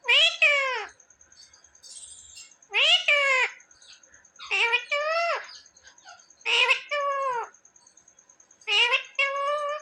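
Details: Domestic talking parrot; five loud, rich, down-curving harmonic calls spaced about two seconds apart, with quiet ticking between them and a constant faint high tone.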